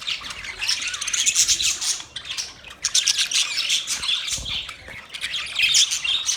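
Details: Budgies chattering in a continuous flurry of harsh, warbling high notes and clicks, with a short lull near the second mark before the noisy chirping resumes.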